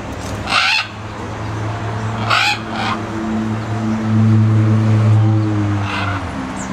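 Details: A green-winged macaw (Ara chloropterus) at a zoo in Trinidad and Tobago gives two harsh, raspy squawks about two seconds apart over a steady low engine-like hum.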